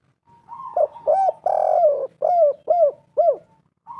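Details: Spotted dove calls used as a lure to draw other birds: a run of about seven short arched cooing notes, some drawn out and hoarse, spaced roughly every half second, then a lone note near the end.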